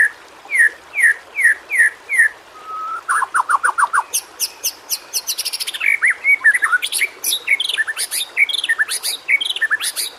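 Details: Nonstop white-rumped shama (murai batu) song used as a lure for lazy singers: five falling whistles spaced evenly, then a long varied stream of fast high ticks, trills and slurred phrases about two or three per second.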